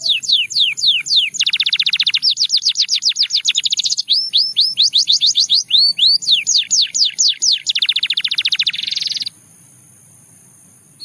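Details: Russian singing canary song aimed at seducing other canaries, rolling high trills and buzzy tours alternating with upslurred whistled runs, ending abruptly in silence.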